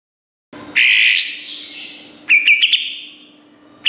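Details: Kapas tembak bulbul on a master recording for training caged competition birds. A loud, harsh burst comes first, then a quick cluster of bright, sharp notes and a final clipped shot.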